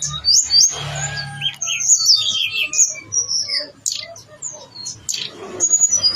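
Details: Blue-winged leafbird (tledekan gunung) in full, energetic song with all its mimicked inserts: rapid high whistled and twittering phrases, sweeping and trilled, in quick varied bursts, with faint low hum beneath.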